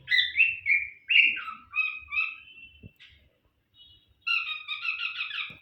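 A cockatiel chirps in bright, warbling whistles, with short rising and falling notes in quick bursts.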